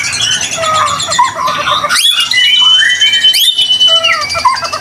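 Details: Lure song of a 'gacor' white-rumped shama for triggering other shamas; varied whistles and chatter, then a long steady high whistled note held for about a second, with sharp bursts between phrases.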